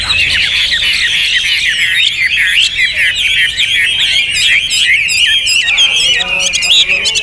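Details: Hwamei in full song, a loud rich run of varied whistled phrases with rapid slurred notes and trills, continuous and energetic, with a few harsher notes near the end.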